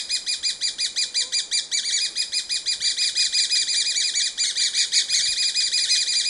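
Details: Grey-breasted parakeets (Pyrrhura griseipectus) give harsh, scratchy screeches in a fast, steady chatter of about three notes a second, with no other sounds in the background.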